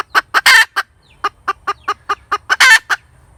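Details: Hen cackling, a loud series of short, clipped clucks spaced about every quarter second, broken by two harsh, drawn-out squawking notes near the start and near the end.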